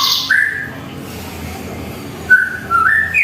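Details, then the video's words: White-rumped shama at home in the morning giving a few separated whistled notes: a high burst, a level whistle, a long pause, then rising fluted phrases. "Masteran suara burung murai"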